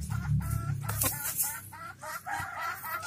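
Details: Domestic hen searching for a comfortable place to lay an egg: a series of nasal, harmonic calls repeated several times a second. A steady low rumble and a brief noisy burst sit underneath.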